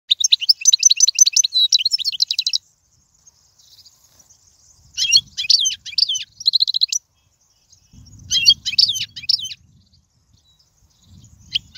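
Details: European goldfinch song for teaching young birds: rapid twittering phrases of high liquid notes and buzzy trills in three bursts separated by short pauses, faint low rumble beneath.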